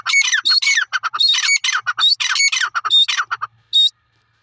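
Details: Grey francolin giving loud, grating squawk bursts in rapid series, the notes harsh with high whistled overtones, slowing toward the end and finishing with one isolated note before silence.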